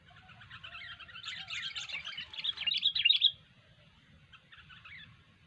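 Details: Sooty-headed bulbul in lively gacor song, a fast tumbling chatter of sharp twittering notes that swells in loudness before stopping abruptly, followed by soft scattered chirps.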